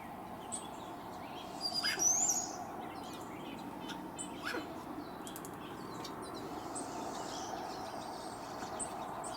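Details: Courtship song of a hummingbird perched in a tree, Sierra foothills, California: a scratchy, very high buzzy phrase near two seconds, with sparse sharp ticks before and after over a constant low outdoor hum.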